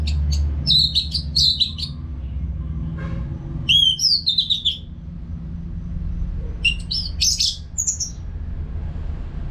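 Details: Orange-headed thrush in song, used to prompt caged birds. Groups of bright, slurred whistles and trills come in three spaced bursts over a persistent low hum.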